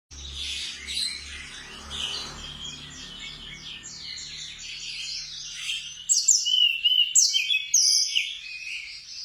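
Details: Mountain tledekan singing with mimicked sikatan londo phrases, used as a master recording for training birds; high chattering trills and rapid buzzy notes, growing louder toward the end with sharp whistled phrases.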